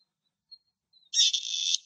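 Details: Grey partridge in Greek countryside giving one rough, rasping call of under a second, loud at the start then holding a grating tone, preceded by faint thin whistles.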